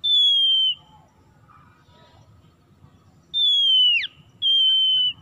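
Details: Oriental magpie-robin (kacer) lure for getting stressed birds that stopped singing to sing again: long, level, clear whistles with a sharp downward flick, separated by a quiet gap, over a faint low hum.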